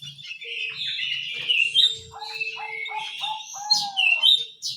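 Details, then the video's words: Small canary singing vigorously: a continuous run of bright warbled and whistled phrases, with rapid rolling trills and a lower, steady, repeated note pattern in the second half. "BURUNG KENARI MUNGIL GACOR"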